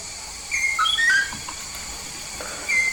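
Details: Short bout from a Papuan yellow-faced myna singing actively: a quick cluster of three or four clean whistled notes stepping down, then one level whistle, over a steady hiss.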